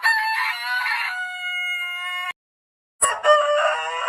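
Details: Long rooster crow: a rough, buzzy start smooths into a clear, sustained note held for over a second. After a short silence, a sharp click comes before another harsh crow.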